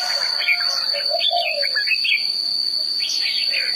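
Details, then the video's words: Red-whiskered bulbul giving a run of lively warbled notes that rise and fall, followed by a softer lower whistle and later a burst of brighter notes, all over a continuous high thin whine. "Chim chào mào hót!"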